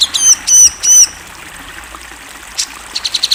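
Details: Tutor recording of a national champion cucak jenggot (grey-cheeked bulbul) with a clear voice. Three drawn-out, high, downslurred whistles, a lull, one short burst, then a quick run of thin, high chips.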